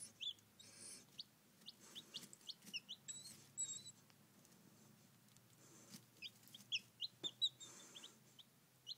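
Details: Four baby chicks, three Barred Rocks and one Rhode Island Red, giving short, high, clipped peeps scattered irregularly through the recording, some in quick pairs, over soft scratching and rustling clicks.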